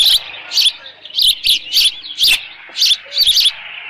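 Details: Ranch osprey nest, 13 June 2018, late morning, leftover fish at the nest; about eight piercing high cheeps in under four seconds, each short and bright, spaced unevenly with brief pauses.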